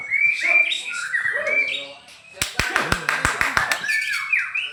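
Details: Contest white-rumped shama in song, loud whistled phrases sliding up and down, broken midway by a rapid series of sharp clicking snaps before the whistling resumes, with voices nearby.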